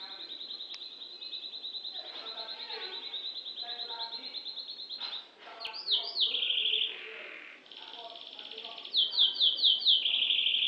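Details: Canary of the F2 type, a lively singer, delivering a long rapid trill, then swooping looped notes, a buzzy steady tone and a run of quick rising-falling whistles, with faint warbling from other birds behind.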